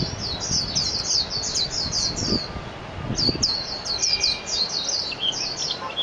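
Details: Japanese white-eye, known as mejiro, singing two bursts of rapid, very high, thin downslurred notes with a short pause between them. Soft low thumps sit underneath.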